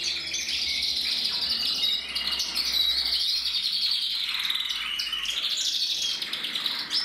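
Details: Red-black mosaic canary cock from a German breeder, 2024, delivering an unbroken run of fast high trills and twittering phrases, steady in loudness throughout, with a low background hum early on.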